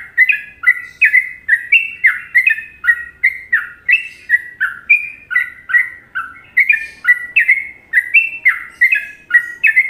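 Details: Trucukan-rhythm song of a sooty-headed bulbul from Indonesia, a masteran recording: continuous loud, liquid chirping phrases, each a quick two-note up-and-down whistle, tumbling out rapidly and evenly throughout.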